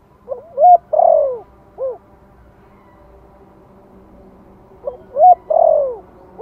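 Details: Spotted dove from Vietnam, gentle lure call in the Giọng Thổ style, used to stir newly kept wild doves into calling: two low cooing phrases, each with short rising notes, a long descending coo and a short arched final note, about four seconds apart.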